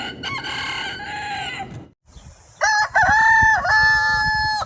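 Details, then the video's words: Two rooster crows from a compilation of crowing sounds: a harmonic-rich crow lasting nearly two seconds, a brief gap, then a louder, sustained second crow with a steady tone and a dip midway, over background noise. "Rooster crowing sounds"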